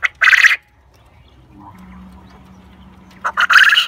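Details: A black coturnix (Japanese) quail, crowing non-stop alongside other quails, gives two loud, harsh, buzzy crows about three seconds apart, with a faint low hum in the quiet gap between them.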